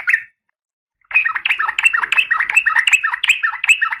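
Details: Oriental magpie-robin female in breeding condition calling the male. One brief chirp, a pause, then a continuous run of harsh, rapid, slightly varied chattering notes repeated several times per second.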